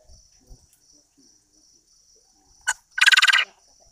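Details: A male quail sings in the early morning: one loud, harsh, rapidly pulsed rasping burst of about half a second, preceded by a sharp click, over a steady high whine.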